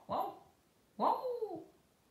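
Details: Clever talking parrot speaking two short phrases in a human-like voice, each a rounded, falling syllable group with a pause of about a second between them, in a quiet room.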